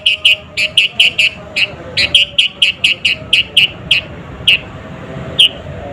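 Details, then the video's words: Lively sooty-headed bulbul used to goad rival songbirds: a steady string of short, bright chirps, roughly one per second, some in quick pairs, thinning out toward the end over soft background rumble. "SUARA BURUNG KUTILANG GACOR ASLI TAMPA ISIAN..,!!!pancinga kutilang bikin lawan emosi..."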